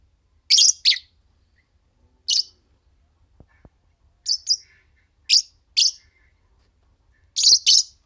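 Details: Pet Fischer's lovebirds, a green pair, chirping and singing: loud, shrill, high chirps mostly in doubled bursts, separated by pauses of one to two seconds, with faint clicks in between.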